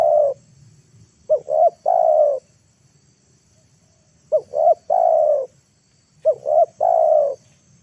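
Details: Lure call of a spotted dove, played to coax wild birds down to the ground: pairs of short hooked coos lead into a long, level, mellow note. Three phrases with a soft low background hum.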